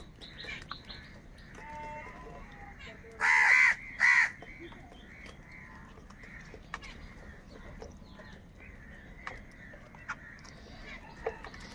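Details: Crowds of crows feeding and fighting make a constant distant clamour, broken by two loud harsh caws close by, followed by scattered softer calls from the flock.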